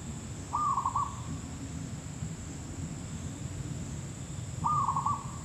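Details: Zebra dove recorded during trapping, two clipped, bubbling trilled coos about four seconds apart, with steady low-pitched background rumble.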